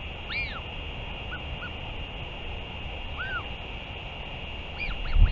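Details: Northern royal albatross during a return and feeding on 31 May 2023, giving bursts of high arched squeaks and a few short lower notes, with steady background hiss and a thump near the end.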